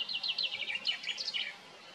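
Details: Common chaffinches singing on 8 June 2024: a quick run of bright, high notes tumbling downward in repeated phrases, then fading out, with faint background hiss.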